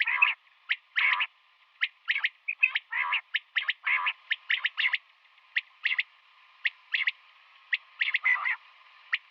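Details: A female common quail calls in the morning, a run of rapid, harsh notes grouped in twos and threes, denser early on and then spacing out, with a soft continuous hum behind.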